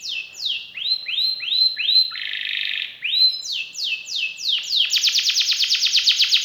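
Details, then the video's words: Canary in rich, persistent song: falling and arched whistles, a buzzy rolled section, more downward sweeps, then a fast bright trill of rapid repeated notes. "KENARI GACOR CENGKOK ISTIMEWA,ISIAN MEWAH"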